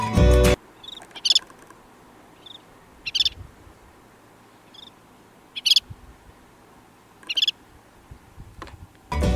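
Collared Pratincole giving short, sharp, chattering calls in scattered bursts every second or two, over a faint background hum, with loud bursts of music at either end.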